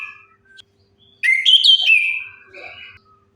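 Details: Orange-headed thrush song used as a lure to get silent birds singing: a few soft whistles, then one loud, rich phrase of high, sliding whistled and warbled notes lasting about two seconds, ending in a quieter trill.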